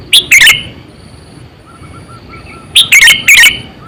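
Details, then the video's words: Lively decoy Sooty-headed bulbul, aged 8–9 years and used for luring birds, calls two short bursts of loud, bubbly, slurred chirps, separated by a quiet gap of about two seconds with soft background hiss. "Suara Burung Kutilang Gacor,100%Suara kutilang Asli"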